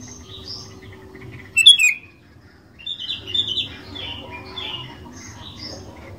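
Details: Singing sooty-headed bulbul used to lure other bulbuls into song: quiet warbling, one loud sharp double chirp, a brief pause, then a tumbling sequence of bright chattering notes.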